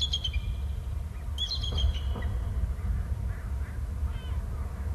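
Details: Eagle pair calling as both birds fly off the nest: a brief burst of high, thin whistled chitters near the middle, with a few fainter notes around it, over a steady low rumble.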